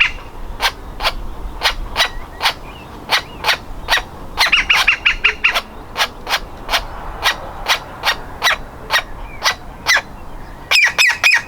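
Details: Woodpecker nestling calling from its nest hole as it prepares to leave: steady run of sharp, clipped notes roughly two per second, broken twice by brief rapid chattering bursts.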